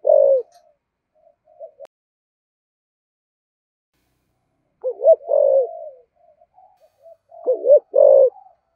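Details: Spotted dove giving giọng thổ thúc gù coos: a throaty coo opens, then a long silence, followed by bursts of deep, bubbling two-syllable coos and soft trailing murmurs.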